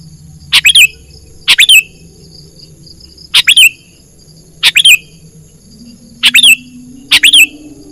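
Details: Lure call of a sooty-headed bulbul for trapping birds in the wild; bright clipped chirps in tight bursts of two or three notes, spaced one to two seconds apart, with a soft low drone beneath.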